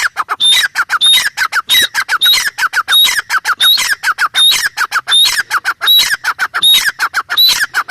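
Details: Continuous grating calls of a grey francolin, with phrases of harsh notes each starting with a clear high whistle, repeating steadily at a little under one per second.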